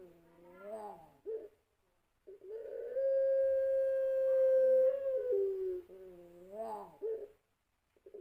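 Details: Collared dove from a champion line giving the long coo, used to prompt other doves to sing: wavering low opening notes, then a sustained smooth coo of about two seconds that falls off, followed by further wavering coos.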